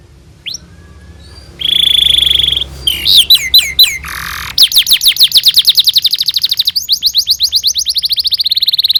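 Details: Canary song used as a training recording for young canaries: a thin whistle, a steady buzzy trill, a few separate chirps, a noisy burst, then a long rapid roll of repeated sweeping notes.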